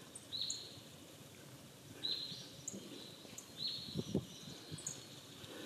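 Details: Rustic bunting feeding in a thicket among fallen leaves in mixed woodland in the Sayama Hills, 24 December 2020. It gives sharp, very short high call notes about every one and a half seconds, with faint higher ticks and soft rustling below.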